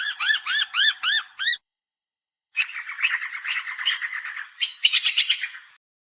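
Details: Noisy miner: a short run of arched, ringing notes gives way, after a pause, to harsher, buzzy chattering. Overlapping scratchy notes build toward a final rapid flurry.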